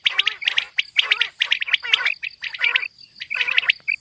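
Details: Female common quail (batair) calling: rapid bursts of sharp, chirping notes in clusters of two to four, repeated about once a second, with a faint steady high whine running underneath.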